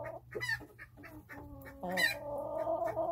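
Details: Chickens calmly going about their day: a few quick clucks, then a drawn-out, wavering, nasal murmur that holds steady to the end, over a faint hum.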